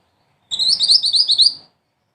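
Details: Mantenan, black-and-red songbird valued as a tutor for 'ngerol tembak' song style, delivering one rapid, high-pitched, sharply chattering trill lasting just over a second, the notes repeated quickly and evenly, with no other clear sounds.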